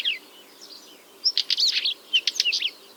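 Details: Northern wheatear song, recorded near the Pogorelovsky quarry in Pronsky District, Ryazan Oblast, June 2023, during nesting; short bursts of scratchy, crackling notes with thin whistled slurs, high-pitched, in two quick phrases.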